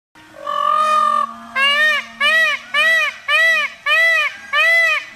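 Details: Indian peafowl, a peacock, giving a loud, nasal, wailing call: one long drawn note followed by six short arched honking calls repeated in a steady series, with a faint low hum beneath.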